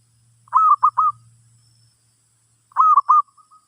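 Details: Zebra dove song played while a new bird is taught: two bursts of three quick, mellow, cooing notes, the last slightly drawn out, separated by about two seconds of quiet, with a faint low hum.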